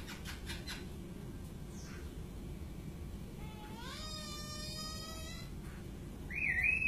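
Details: A White-crested laughingthrush gives a quiet rising note with a harsh, buzzy edge, then a loud, wavering whistle near the end, over a steady low hum.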